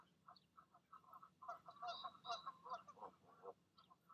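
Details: In the evening a goose pair calls their goslings to jump from the nest, the mother talking them down: steady low grunts swelling into a loud, overlapping burst of nasal honks before easing back to soft grunts.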